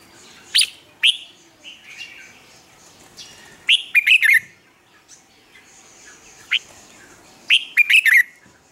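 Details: Red-whiskered bulbul song made as a lure to train birds to sing in the morning: scattered single chirps and two bursts of quick, bright, slurred warbling notes, the second phrase closing the sequence.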